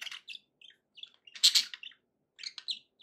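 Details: Happy budgerigar sounds from pet birds: scattered short chirps and clicks, with one louder raspy burst midway and soft squeaks around it.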